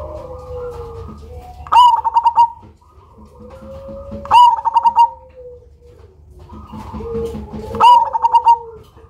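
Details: Cemani zebra dove with a loud, unusual-rhythm coo, kept as a lure bird: three phrases, each opening with a sharp note and then a fast run of bubbling pulses, about four seconds apart. Softer, lower sliding coos from other doves fill the gaps.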